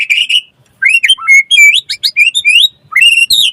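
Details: Lively white-rumped shama song meant to spur other shamas to sing: varied high whistled phrases with sweeping upslurs and downslurs, delivered in quick bright bursts.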